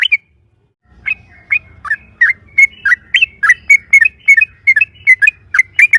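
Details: Yellow-vented bulbul singing loudly as a lure for other bulbuls: after a short silence, crisp whistled notes with quick upward and downward turns follow one another about three times a second, over a faint low hum.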